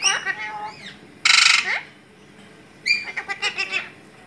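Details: Talking Alexandrine parakeet: voice-like harmonic syllables, then one loud harsh squawk lasting about half a second, followed by a quick run of rapid chattering word-like notes.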